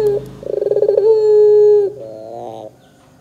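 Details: Barbary dove sung as a lure for young doves to start calling. A fast pulsed chuckle builds into a long steady coo, followed by a softer wavering rising phrase.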